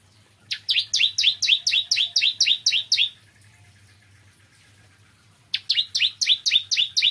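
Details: Bar-winged prinia singing in the morning: a long run of about a dozen ringing, upslurred chirps at a steady four per second, a pause, then the run starts again.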